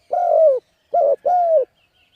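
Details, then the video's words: Spotted dove call for luring wild birds: one long, steady coo gently falling at the end, then a short note and another long falling coo. "Cu Gáy Thúc Gù Gáy Cực Phê Kích Mồi Tập Bổi Quá Hay"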